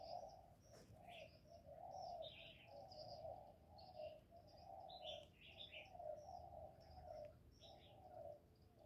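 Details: Spotted dove in the thổ voice style, recorded live to stimulate male doves: a loud, steady run of low hollow coos, roughly one per second, with light chirping from other birds in the background.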